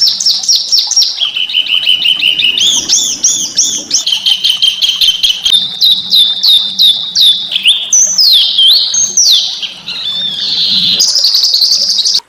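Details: Small birds in a natural setting, recorded to stimulate white-rumped shama singing: a busy, varied stream of high chirps, trills and rising-falling whistled phrases, with a low background hum.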